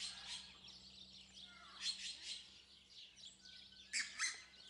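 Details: Captive red-breasted geese at a zoo in Upie, Drôme, France give shrill, squeaky yelping calls in quick, uneven bursts, several voices overlapping, over a low steady hum.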